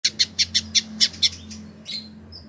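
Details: : Village indigobird kept for a year as a tutor bird in Bandung, West Java, Indonesia, singing: seven bright, evenly spaced high chips in quick succession, then a softer trailing phrase and a brief thin whistle.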